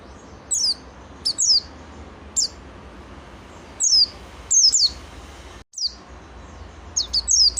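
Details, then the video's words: Scattered high, thin, falling whistled notes from a lively oriental white-eye, given singly or in pairs with irregular pauses between. "KUMPULAN BURUNG PLECI NGALAS SAMPE BUKPAR GACOR"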